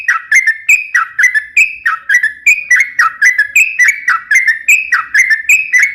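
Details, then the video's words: Sooty-headed bulbul singing vigorously, a recording used to lure and train other birds: clear fluty whistles bouncing up and down in steady repeated phrases, about one per second, with clean quiet background. "suara trucukan gacor"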